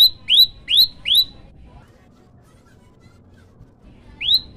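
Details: Four quick rising chirps of an olive-backed tailorbird, followed by quiet and a single last upswept note.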